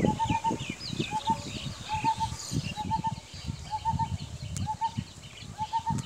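Common hawk-cuckoo giving short, clear two- and three-note phrases at a steady mid pitch, about once a second, over low rumbling noise and faint chirps of other birds.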